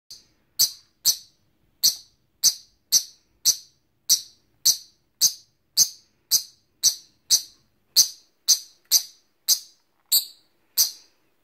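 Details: A peach-faced lovebird, wary of a chick-shaped towel toy, gives shrill, harsh alarm chirps about twice a second in a steady series of short bursts with quiet between them.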